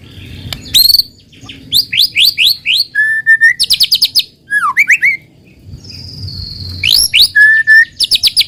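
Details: White-rumped shama lure song for prompting others to sing: sweeping rising notes, a level sustained whistle, down-slurred calls and a long high flat tone, with soft low hum.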